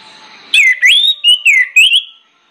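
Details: Loud, persistent orange-headed thrush song used to coax other birds into singing. A clear whistled phrase lasts about a second and a half, with swooping slurs and short twisting notes in quick succession.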